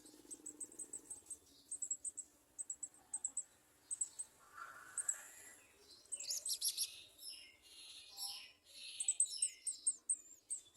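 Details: Olive-backed sunbird foraging for insects in a small jar to feed its young gives thin, very high chirps in quick, uneven bursts, several per second. Brief rustling and scraping noises break in midway.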